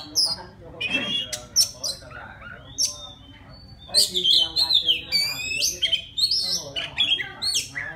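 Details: Oriental magpie-robin of the forest singing to a female: sharp whistled notes and scratchy phrases, a short pause, then a rich burst of sliding whistles and rasping trills.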